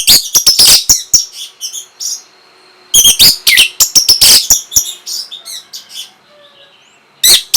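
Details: Orange-headed thrush song meant to trigger breeding urge and responses: dense, loud volleys of sharp, piercing high chips and squeaky notes, paused briefly, then resumed.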